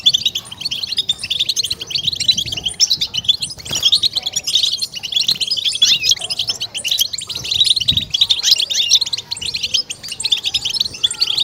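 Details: European goldfinch 'betbeta' chorus for exciting kept goldfinches: a long, unbroken wash of bright, chattering high notes and liquid trills, with muffled low sounds in the background.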